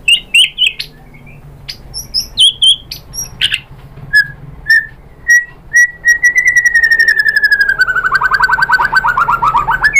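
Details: White-rumped shama song aimed at provoking rival shamas: scattered high whistles and single fluty notes, then a long fast rattling trill that slowly falls in pitch over four seconds.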